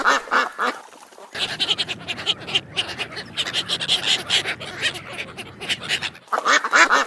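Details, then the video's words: Ducks quacking: short bursts of harsh, nasal quacks open and close the recording, with a dense, noisy stretch of overlapping chatter from several birds in between. "Quacking sound of ducks"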